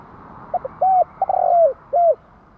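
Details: Spotted dove coo phrase: two tiny introductory notes, a firm coo, a stuttering note sliding into a long falling coo, then a last rounded coo, against steady background noise.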